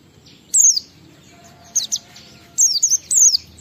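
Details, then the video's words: Pleci or Oriental white-eye giving ngalas-style lure song to prompt other white-eyes: a few short clusters of very high, thin, falling trills separated by quiet gaps. "Suara Burung PLECI Ngalas sambung wiksar Bongkar Isian memancing semua pleci cepat gacor buka paruh"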